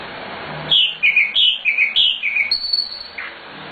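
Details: Nightingale recorded as a master for training birds, singing a rapid series of chirped notes that alternate between higher and lower pitches, then a single high whistle and a short falling note.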